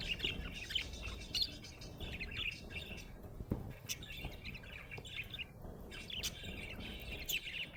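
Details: Cheerful budgerigar chirping, a steady chattering warble of raspy notes, squeaks and short whistles running throughout with brief sharp accents, over quiet background hum.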